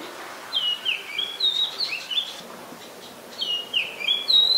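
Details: Shrill, whistled call notes from an adult common tailorbird at Ubon Ratchathani, Thailand, on 3 February 2023, given in two fast bursts of dipping and rising notes with a short pause between them.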